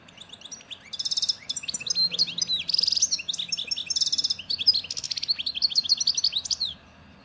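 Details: European goldfinch from Souk Ahras (Taghast), Algeria, singing in the local style tied to Djnane Bouecha, Ain Dalia dam and Firmet Djoudi: a fast, rambling run of high twittering notes, tinkling trills and buzzy rattles, nearly unbroken for six seconds.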